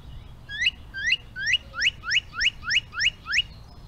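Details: A male Northern Cardinal's song: a run of nine clear, rising slurred whistles, about two each second, a series of whistles and slurs, with a faint low hum underneath.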